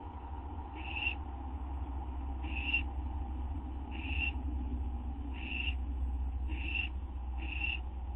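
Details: Owl expecting a gopher or vole treat shortly after midnight, September 8, 2011, produces six raspy hissing bursts at uneven spacing, quickening toward the end, over a loud steady low hum.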